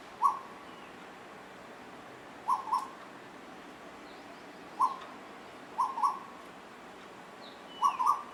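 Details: Two Asian koels singing and playing with each other: brief, sharp whistled notes, single or paired, spaced roughly every one to two seconds against a quiet background.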